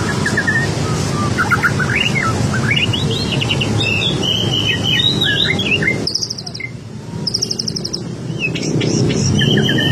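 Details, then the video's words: Chattering 'bawel baceprot' song of a white-rumped shama, used to make other birds reply; rising whistled notes and fast scratchy trills, then repeated high buzzy bursts after a brief lull, with steady low background noise. "Suara Burung Murai Bawel Baceprot utk pancingan langsung nyaut"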